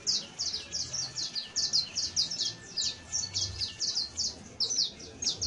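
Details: Song of a saffron finch, played to help train creole canaries: bright high chirps delivered in quick regular pulses, about three per second, against faint low noise.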